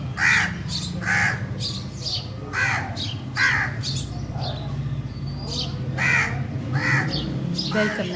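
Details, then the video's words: Crows cawing: harsh, hoarse caws repeated roughly once a second, about ten calls in eight seconds, some in quick pairs, over a steady low rumbling background hum. "Crows Sound"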